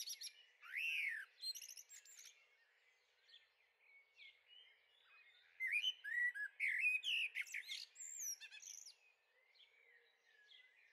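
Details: Young blackbirds in a garden on the Veluwe, Netherlands, 30 April 2014: warbled, fluty phrases mixed with high twittering notes come in bursts, with a quieter pause in the middle, then a dense run of squeaky, chattering notes.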